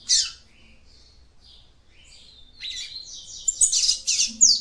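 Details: Female capped seedeater song used to stimulate a male: a sharp opening chirp and soft high whistles, building into a dense, scratchy twittering sequence.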